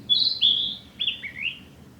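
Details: A single song phrase from a male narcissus flycatcher, recorded on a forest road in mid-May 2021. Sweet, fluty whistles slide from high to lower notes and end in a short rising twist. A faint low rumble sits beneath.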